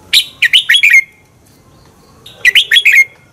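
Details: Competition song of a red-whiskered bulbul, used to push birds to sing; two bright phrases of four quick, slurred whistled notes ending in a falling trail, about one and a half seconds apart.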